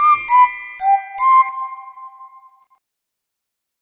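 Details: Four bright, bell-like chime notes ring out in quick succession, then fade into silence; no animal is heard.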